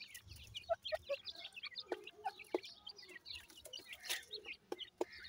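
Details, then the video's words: Francolin chicks at feeding time: scattered high peeps and chirps mixed with sharp pecking-like clicks, and a few lower, clearer piping notes near the start. "calling bird teetar chicks,irani francolin chicks feed"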